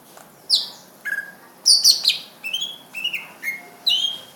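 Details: Cucak ijo, the greater green leafbird, giving a lively run of loud whistled phrases and buzzy high chirps, each note about half a second apart with a steady rhythm.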